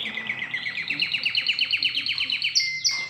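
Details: Domestic canary, a new bird in the household, being trained to sing: a fast, even trill of bright high notes repeated about three per second, ending in a sharper, higher burst and a steady whistled tone.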